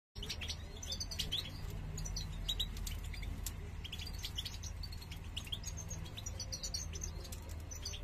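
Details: Male European goldfinch urging a female to build a nest so they can breed; bright high chirps and twittering notes scattered through the clip over a steady low hum.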